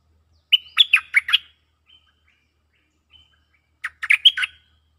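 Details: Cream-vented bulbul answering a resident bird in a lure recording. Two bursts of quick, chirpy, bubbling notes, each about a second long and three seconds apart, with a couple of faint short notes between them. No other sounds.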